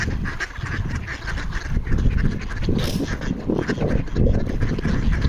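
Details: Several ducks on a frozen pond in Toronto quack for food; overlapping harsh, nasal calls repeat steadily, and a brief hiss and a constant low rumble sit underneath.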